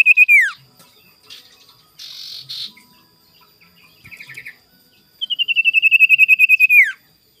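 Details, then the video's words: Morning lure recording of a sirtu in full voice to draw out rivals: a short falling note, scattered soft chirps and a buzzy burst, then a long run of rapid, repeated high pulses ending in a downward slide. "PANCINGAN SIRTU GACOR DI PAGI HARI EMOSI CARI LAWAN"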